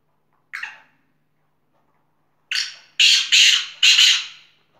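A black francolin gives one short harsh note, then after a pause a loud run of four grating, buzzy, high-pitched notes in quick succession. The background is quiet.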